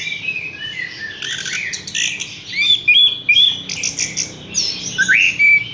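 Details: Horsfield's bush lark giving scratchy buzzy passages, then clear whistled notes and an upward-sweeping slur near the end, phrases repeating briskly.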